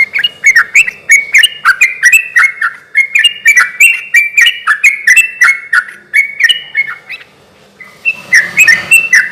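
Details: Lively yellow-vented bulbul song meant to stir other bulbuls to reply: dense, jerky chatter of bubbly notes for about seven seconds, a pause, then a noisier burst of notes.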